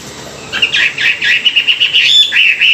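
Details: Morning song of a Chinese hwamei used for song training: a fast run of bright, evenly repeated whistled notes at a steady pitch, ending in a short rising flourish.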